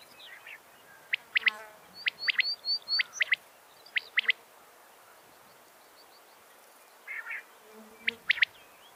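Common quail female giving sharp, high clicking notes in pairs and short bursts, with a few thin downslurred chirps and quiet pauses between.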